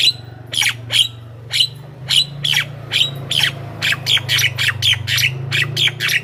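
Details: Javan myna lure sound for wild mynas: harsh squawking notes with a whistled peak repeated about every half second, over a steady low hum.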